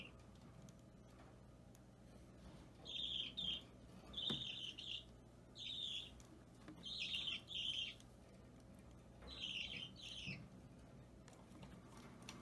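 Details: Budgerigar chick about three weeks old, possibly opaline or normal green, restless while being hand-fed on 30 March 2017, giving harsh raspy begging calls in short bursts, often doubled, spaced one to two seconds apart, with a low indoor hum.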